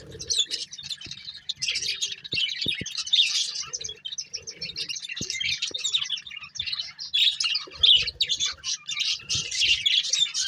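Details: Ten seconds of continuous warbling from a breeding pair of budgies: rapid, buzzy high twitters layered almost without gaps, with a few faint clicks and low soft notes beneath.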